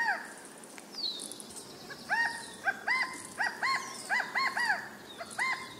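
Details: California quail calling repeatedly, with strings of arched, hoarse, slurred notes in irregular groups over an outdoor background with faint high twittering from other birds.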